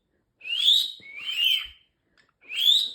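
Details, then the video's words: Pet male parrotlet that talks gives three high whistled chirps, each sweeping up and then levelling off, with short silent gaps between them, indoors. "Talking parrotlet Ozzie, saying a few of his phrases. Peekaboo, fake cough, excuse me etc."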